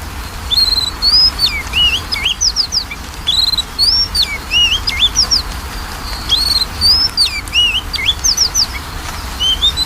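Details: Magpie-robin song used to provoke a reluctant bird into singing: continuous energetic phrases of high looping whistles, swoops and sharp chips, varied and tumbling, with short breaks between bursts.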